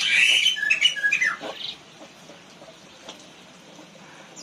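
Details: Black-winged myna kept in an aviary in Indonesia, agitated and attacking. A burst of shrill, rasping squawks lasts under two seconds and is followed by near silence with faint background hiss.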